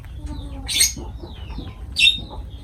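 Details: Lovebirds during feeding, two loud shrill squawks about a second apart, separated by soft, thin chirping notes and quiet background rumble.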